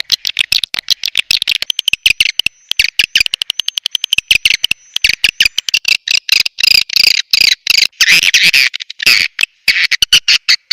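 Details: Swiftlet lure call of the SP BJA style, used to call swiftlets in. Dense, buzzy, high twittering chirps come in rapid bursts with short, abrupt silent gaps between them.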